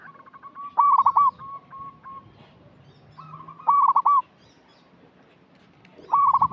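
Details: Used as a lure for young, untrained birds, a local zebra dove sings three loud bursts of rapid, clipped coos, each ending in a rolled note. Faint, steady cooing and low rustling fill the gaps.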